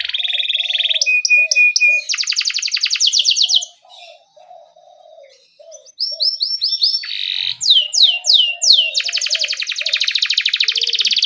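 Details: A 'gacor' canary sings in the rolling 'ngerol' style as a lure for young birds. A steady trill leads into rapid buzzy rolls, then a quiet stretch of soft low cooing. Looping whistled sweeps follow, ending in long fast rattling trills.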